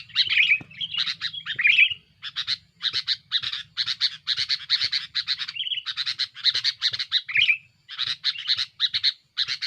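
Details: Sooty-headed bulbul in a busy, rival-pressuring song used as a lure: harsh repeated chattering bursts with a few brief fluty whistles, bursts coming roughly twice a second, low hum beneath.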